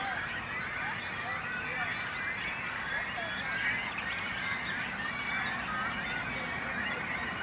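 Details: Great cormorant colony with young, breeding on a little island in a small Langedijk lake between Noord and Zuid Scharwoude, Netherlands; unbroken chorus of high squealing and grating calls from numerous birds, some short rising notes standing out.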